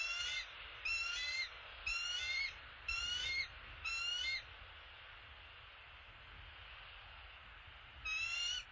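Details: Bald eagle, the male arriving at the nest with an opossum, gives five sharp, squealing chatter phrases about once a second, then falls silent for several seconds before one more phrase. A low rumble runs underneath.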